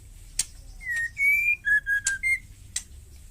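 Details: Wild female White-rumped shama, ketrekan call used to provoke rival birds. A single whistled phrase: a falling note, a long rising whistle, three short steady notes and a final upward note, framed by a few sharp clicks.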